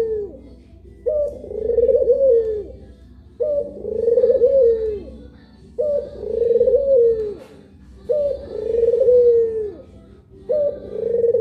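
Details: Rhythmic pelung cooing from a Puter pelung dove, one of two birds, with each warbling, rise-and-fall phrase recurring roughly every two and a half seconds across five phrases.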